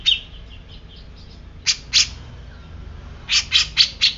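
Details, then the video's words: Grey-cheeked bulbul described as agitated, giving soft high chips, then two loud harsh notes, a pause, and four more rasping, squawky notes in quick succession. "Cucak Jenggot Bisu Langsung Emosi"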